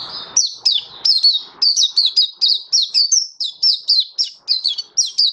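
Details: Sharp, regularly spaced high chirps from an Oriental white-eye in song display, recorded 24 February 2023, each note slurring downward, about three per second, over a quiet background.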